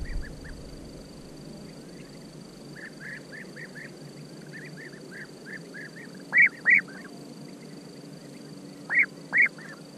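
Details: Several European bee-eaters calling: a run of soft, rapid, rolling trilled notes, then two pairs of loud, close, purring 'prruip' calls. Constant faint background hiss.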